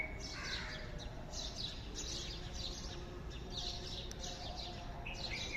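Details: Birds in the morning give repeated high, thin chirps and short twittering bursts, with a lower warbled phrase early on, all over a steady background hiss.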